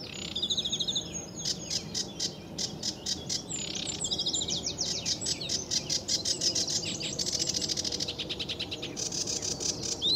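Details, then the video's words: Sedge warbler singing lively in early morning sun under blue sky at RSPB Fowlmere, July; rapid chattering, scratchy high phrases mixed with buzzy trills and whistles, delivered continuously with varied repeated notes. "Sedge Warbler"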